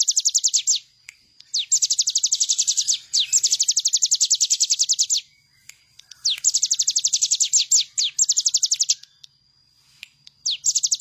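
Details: Master recording for training birds: a bar-winged prinia delivers long bouts of very fast, high, downslurred chips, each run lasting one to three seconds, with short pauses between and a thin steady tone in the background.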